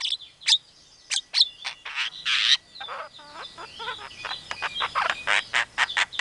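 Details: A Javan myna runs through a medley of imitations: sharp whistled notes, a harsh buzzy burst, clucking like a hen calling chicks, then rapid chattering phrases. It mimics chick-calling, an Asian pied starling and a hungry civet.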